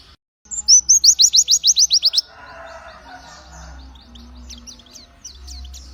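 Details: Pleci white-eye (zosterops) in spirited song: a rapid burst of roughly twelve sharp, sweeping high notes, followed by softer scattered twitters over a low hum and faint background noise.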